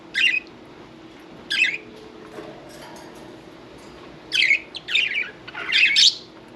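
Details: Pet budgerigar at bath time calls indoors: a handful of short, bright chirps spaced a second or more apart, then a quicker cluster of three rising chirps near the end, over a faint steady hum.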